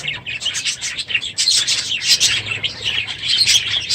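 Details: Budgerigars in a packed aviary, noisy one morning at the end of the breeding season: steady overlapping chirps and warbles, a constant busy chorus.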